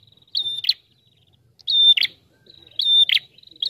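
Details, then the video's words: Prinia, a visiting bird in lively, sustained song used as a lure: a level high whistle runs into a short buzzy rattle, three phrases in under four seconds, with a fainter trailing note at the end. "Prenjak TAMU Gacor Ngalun Rapat"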